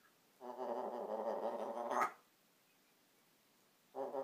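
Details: African grey parrot at home producing a long, throaty, snore-like rasp lasting over a second and a half and ending in a sharper note. After a pause a second buzzy rasp begins.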